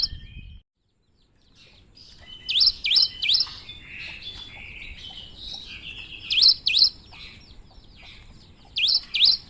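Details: Unusual song of a cinereous tit singing actively: paired high, swooping down-up whistled notes delivered in bursts, repeated every few seconds, with softer twittering notes filling the gaps between phrases.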